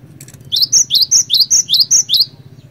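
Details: Short run of song from a gelatik batu (cinereous tit), played to coax others of its kind into singing: eight shrill, evenly spaced whistled notes, each dropping sharply in pitch, over faint low humming.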